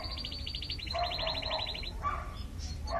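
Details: Young domestic chicks, said to have been abandoned in 2014 and in need of a home, including a red carioco chick and a white farm chick; a rapid run of high peeps for about two seconds, then scattered lower calls over a low rumbling background.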